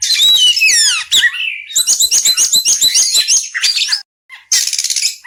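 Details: Oriental magpie-robin chirping, opening with descending slurred whistles, then a fast series of short clipped notes about three or four per second, a short silence, and a final burst of harsh buzzy noise.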